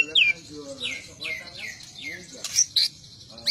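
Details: White-rumped shama song: a series of clear down-slurred whistles, about five in a row, followed by short sharp high chips against a faint hiss.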